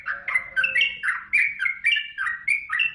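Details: Yellow-vented bulbul (trucukan) in full, lively song: a run of short bubbly, warbled notes, each dropping or rising, about three per second, with a faint low hum under the first second.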